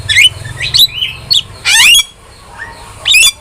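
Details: Starling song for training pet birds: scratchy, buzzy chatter with a loud grating burst near the middle. Between the bursts come softer squeaky whistles and a faint lower slurred note.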